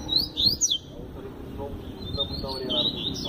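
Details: Double-collared seedeater singing in the Tui Tui Zel Zel style: a quick burst of sharp, high whistled notes, rising and falling, in the first second, then softer repeated notes over a low murmur of background noise.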